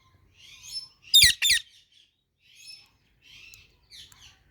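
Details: Pet parrots making cute sounds while eating mango: soft scratchy chirps come at intervals, interrupted midway by two loud, harsh broadband bursts, set in an indoor room.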